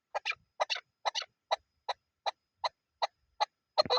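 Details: Chukar partridge, a hunting bird, giving single clucks spaced about half a second apart, with a few early notes doubled and a loud, harsher cluck at the end.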